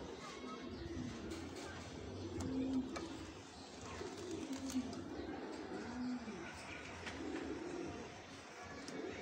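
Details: Fancy pigeons cooing indoors, low rolling coos repeated about every one to two seconds, with a steady low hum and faint background noise.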